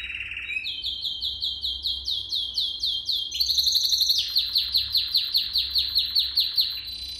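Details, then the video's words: Training song of a canary for young birds to learn from: rapid repeated swooping whistles, then a sudden very high rattling roll, followed by another run of loud falling notes, all clear and strong. "Most powerful song for training Canary"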